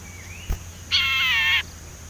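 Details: Sumatran leafbird learning to whistle, a young untrained bird whose practice is used to lure others. A faint rising whistle is followed by one buzzy, harmonic note held for about two-thirds of a second.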